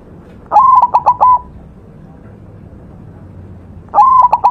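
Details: Singing white zebra dove from a master recording for song training. It gives two cooing phrases about three and a half seconds apart, each a fast stutter of short notes ending in a drawn-out coo.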